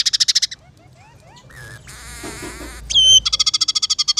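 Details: Scaly-breasted munia (emprit peking) in full song, a tutor recording with fill-ins of house sparrow, red siskin and canary: a fast series of bright high pulses, soft rising slurs, a dense buzzy burst, a sharp whistle, then another rapid pulsed run.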